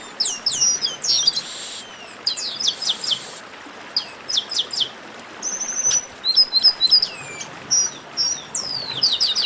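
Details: Chestnut-capped blackbirds in a baderna chorus: repeated phrases of sharp, high, descending whistles, buzzy rattles and quick chip series following one another almost without pause, with overlapping voices.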